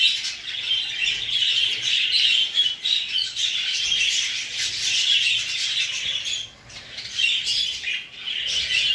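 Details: A flock of English show budgies, exhibition and hogoromo, keeps up fast overlapping twitters and chirps, with a short lull partway through before the chatter returns.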